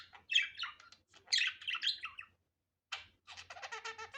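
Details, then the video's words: Budgerigar chattering in an unedited natural recording: squeaky, scratchy chirps run together into a busy warble, a short silence, then a buzzy rattling phrase with a soft low hum behind. "Muhabbet Kuşu Doğal Sesi"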